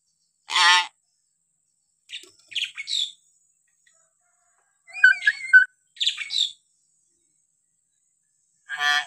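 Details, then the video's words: Captive-training calls of a hill myna: a loud harsh screech opens, followed by squeaky nasal notes, a warbled whistled phrase, more squeaks and a final rasping screech, all separated by short silences. "variasi suara burung beo cocok buat masteran beo bahan"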